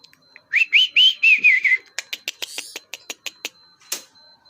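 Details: Tame pied bushchat: one warbling whistled phrase that rises and wavers, followed by a run of sharp, dry clicking ticks and a final louder tick.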